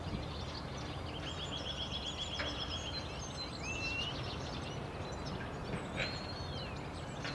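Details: Common starling (Sturnus vulgaris) song in Tivoli landscape park, Ljubljana, 14 March 2022: a rambling mix of thin whistles, rising and falling slurs, clicks and a rapid rattling trill, over a steady low rumble of background noise.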